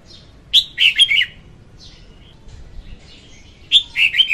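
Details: Female red-whiskered bulbul singing, a recording used to lure birds into traps; two bright warbled phrases of three or four slurred, descending notes, separated by a quiet gap with faint distant chirps.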